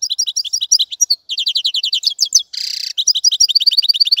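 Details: European goldfinch singing continuously: quick, evenly repeated liquid chirps broken by a short harsh buzzy rattle, then more rapid tinkling notes.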